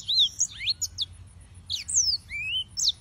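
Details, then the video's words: Yellow-fronted canary song in short bursts: clear, high slurred whistles, some rising and some falling, separated by brief gaps, with a few sharp chips between. "Suara Burung - (Serinus Mozambicus) White-tipped Green Singers Singing"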